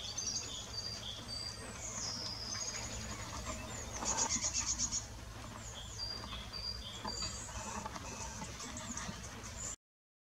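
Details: A Eurasian nuthatch gives high, thin chirps and one quick burst of about eight sharp notes midway, over a steady low background hum.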